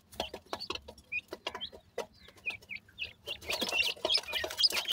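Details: Brood of grey francolin chicks: sparse thin high cheeps between sharp clicks at first, then a dense, louder chorus of overlapping chirps in the final second.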